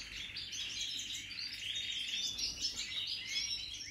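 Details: European goldfinches of the Major type, new birds from 2023, singing: a continuous, dense tangle of high twittering, tinkling and buzzy notes overlapping without pause, as if several birds sing at once, over a steady low hum.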